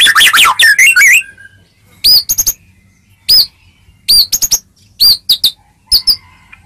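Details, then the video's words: White-rumped shama song meant to make other shamas answer: a fast jumbled burst of high notes, then sharp high whistled phrases in short groups, each followed by brief silence. "Suara Merdu Murai Ini Selalu Berhasil Buat Murai Apapun Langsung Nyaut"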